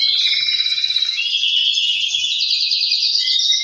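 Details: Male canaries singing to drive breeding behaviour: continuous high buzzy trills layered from several birds, a steady dense stream throughout.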